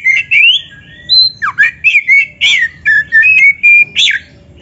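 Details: Oriental magpie-robin kept in a cage, singing a rich, imitation-laden song used as a lure to set other magpie-robins singing. Clear whistles, some rising, one sharply falling, alternate with short buzzy chirps in an uneven rhythm.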